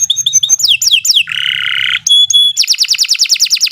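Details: Canary song from a long singing training recording: chattering high notes and quick downward slurs, a coarse buzzy drone, a couple of clear piping tones, then a fast rhythmic trill of downward sweeps.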